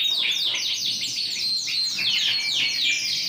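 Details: Big Yorkshire canary, ring 20, singing hard on 28 January 2021. A dense, fast trill of repeated high falling notes runs continuously, overlaid with thin whistled tones.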